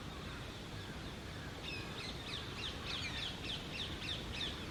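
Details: Rose-ringed parakeet (Indian ringneck) at a nest hole in a neem tree, feeding its young hidden inside; sharp, high, scratchy calls repeated rapidly, about three each second, start partway through over a steady low rumble of background noise.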